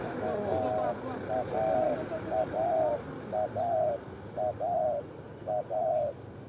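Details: Wild street spotted dove in Indonesia, targeted by bird trappers with a lure: clear, low, hollow coos in short two- and three-note phrases, repeated about once a second, over faint background hiss.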